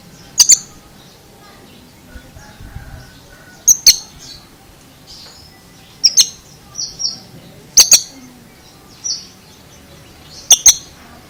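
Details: Peculiar song from an Oriental magpie-robin, with sharp double clicks roughly every two to three seconds and brief clear high whistles filling the gaps, over faint background hiss.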